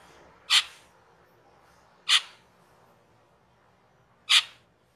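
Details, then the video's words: Cucak keling used as a master recording for training cage birds: three loud, sharp, rasping calls, spaced roughly one and a half to two seconds apart, over a quiet background. "SUARA MASTERAN CUCAK KELING/KERLING"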